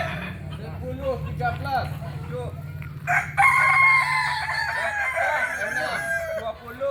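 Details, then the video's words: West Sumatran Kokok Balenggek rooster from Solok: soft arched notes and background hum at first, then at three seconds a loud, high, sustained crow with stepped syllables lasting over three seconds. "Ayam kukuak balenggek asli solok sumbar"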